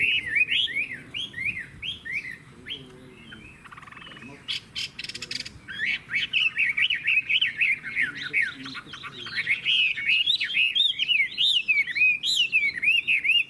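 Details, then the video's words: Caged Chinese hwamei singing repeated rising-falling whistles, broken by a burst of harsh noisy rattling, then a long lively sequence of rapid slurred whistled notes. "Họa mi hót hét tốt - Giọng hay"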